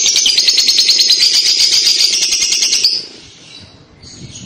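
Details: Long ngekek chatter from a lovebird, played to prompt young lovebirds to reply: a fast, even, high-pitched rattling trill of rapid repeated notes lasting about three seconds, then quiet.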